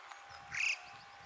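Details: A single tame alpine chough, from a large flock on alpine pastures in Austria's Dachstein mountains, gives one short, bright, rising-then-level squeal about a quarter-second long over faint hiss.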